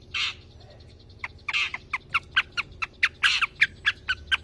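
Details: Long-tailed shrike song used to prompt other birds to sing: a few rough squawks, then a run of short, sharp clicking notes repeated several times per second.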